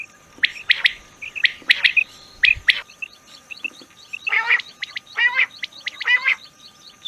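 Rain quail calling: quick, sharp, metallic double notes repeated in bursts, mixed with harsher buzzy rasps in the second half.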